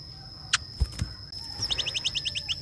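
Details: Greater racket-tailed drongo (chàng tên) calling the flock: after a few knocks and clicks, a fast run of about ten sharp repeated chip notes fills the second half over a steady background hum.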